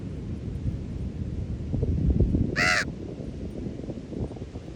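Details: A Common Raven at Ocean Beach, San Francisco, gives a single harsh, hoarse croak midway through, set against a constant low roar of surf and wind.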